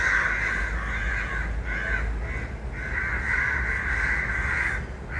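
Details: Several crows cawing almost without a break, loud drawn-out hoarse caws overlapping and running into each other with only brief gaps, low background rumble underneath.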